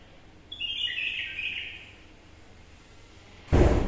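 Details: A captive, originally wild-caught bulbul, filmed by its owner to hear it sing, gives one short, bright warbled phrase of rapid mid-pitched notes lasting about a second, followed by a sudden loud thump of handling noise.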